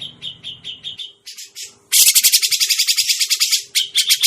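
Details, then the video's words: Grey-cheeked bulbul calls used as a trapping lure: short whistled notes repeated about four times a second, then a loud, harsh, buzzy rattling chatter of rapid pulses, with a faint steady low hum throughout. "suara pikat burung cucak jenggot"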